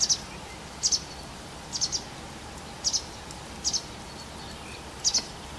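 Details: Several White wagtails calling close by shortly before dusk on 12 April 2017: short, high double chirps, each pair sharp and thin, repeated roughly once a second over a steady low background hiss.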